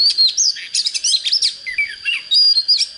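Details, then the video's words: Oriental magpie-robin, a young bird coming into breeding condition, with a good standard voice, pouring out a dense, fast jumble of whistles, trills and chips, with notes swooping between mid and high pitch almost without pause. "Chích chòe than mộc CHỚM LỬA || có chất GIỌNG CHUẨN"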